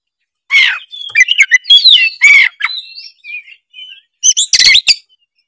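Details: Oriental magpie-robin belting out lively song as a lure for other magpie-robins: strong whistled slurs and sweeping rising notes flowing together, softer warbles in the middle, then a harsh rattling flourish near the end.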